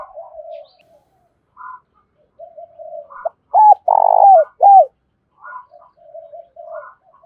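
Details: Spotted dove kept as a decoy, cooing in the Hạp Bổi voice style to lure wild doves. Low soft coos come before a loud phrase: a short note, a long full coo, then a hooked note. Scattered quieter coos follow.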